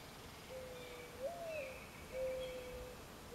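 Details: A Mourning dove gives its territorial/courting song of soft, low, hollow cooing: a sliding note that lifts then falls, then long steady coos, a local variant with only two end notes; faint background hiss.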